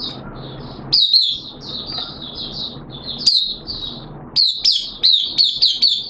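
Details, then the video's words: Captive oriental white-eye singing, 13 September 2022, second day of monthly deworming. It delivers a continuous high warble broken by loud, sharp chirp bursts, which come faster toward the end. "Mata Puteh T Rex Buka Sing"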